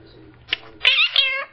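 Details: Pet male blue-crowned conure, hand-fed and kept for 12 years, indoors thanking its owner for breakfast: a faint click, then a short raspy, buzzy, speech-like phrase of about half a second.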